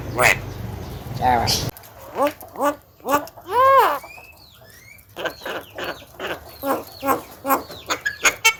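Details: Household Javan myna (jalak kebo), said to cough, laugh and call out to girls, gives a varied string of arched harmonic calls, a loud drawn cry, thin whistled slides and quick chattering notes.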